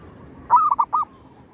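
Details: Zebra dove, a local bird hunted at a cemetery, calling to lure wild birds: a clear, mid-pitched coo of one drawn note followed by two quick, warbling, bubbling notes, over a faint low rumble.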